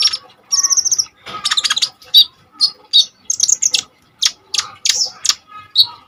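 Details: ['Lively kolibri ninja sunbird song for luring and tutoring other birds: rapid high chittering trills, then scattered sharp chirps and short whistled notes at an uneven pace.']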